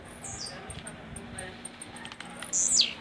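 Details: Blue-black grassquit kept caged in Jacarepaguá, Rio de Janeiro, Brazil, in rojão song: faint high ticks and a soft falling note, then one loud buzzy phrase sweeping downward near the end.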